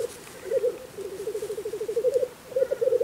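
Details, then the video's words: Black grouse displaying at a spring lek in Russia: steady low rolling bubbling in fast pulses, swelling and fading, with a faint higher call near the start and end. "Black grouse lekking in Russia (Тетеревиный ток)"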